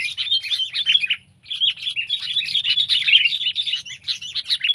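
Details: Sooty-headed bulbul chattering almost nonstop, with busy overlapping chirps and quick warbled notes, one brief gap near the second mark, then steady lively twittering to the end.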